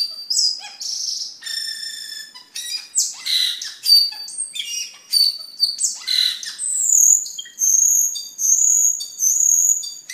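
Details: Varied cucak keling song for tutoring caged birds and luring: short whistled notes, squeaky chips and sliding phrases, then long high sustained whistles repeated near the end.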